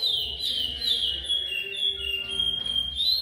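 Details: Curió (chestnut-bellied seed finch) singing repetidor Goiano song: drawn-out pure whistles slurring down then rising again, a brief high flourish at the end, over a soft steady low hum.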